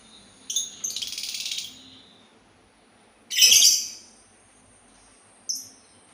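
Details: Sultan tit giving sharp high calls and a rapid chattering burst, then a loud harsh call and a brief final note, all pitched high with quiet pauses between.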